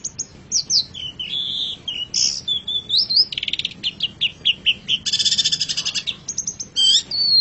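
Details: Long-tailed shrike song as a master recording for pet birds: slurred whistles, a buzzy trill, quick chattering notes and a harsh rasping burst, delivered in a lively, varied sequence.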